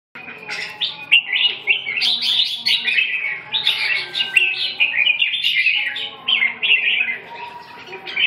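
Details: Red-whiskered bulbul singing a dense, continuous run of short warbled, bubbling phrases, each dipping and rising, with overlapping notes that keep up with almost no pause across the whole stretch.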